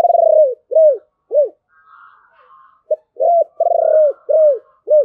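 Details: Spotted dove cooing in the 'giọng thổ' song style, a series of low, rounded, arching coos in two phrases broken by a short pause, soft twittering of small birds in the background.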